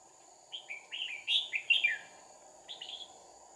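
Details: Caged Red-whiskered bulbul decoy, one of two used to trap a wild bird on 2 April 2019, singing a fighting song: a quick run of chirpy, slurred whistles, then a shorter phrase after a pause, with a steady high whine behind.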